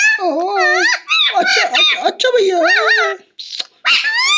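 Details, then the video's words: A talking parrot utters speech-like phrases in a high, strained voice with wavering tones. Several bursts follow one another over about three seconds, then a short pause and two brief final sounds. "Talking parrot"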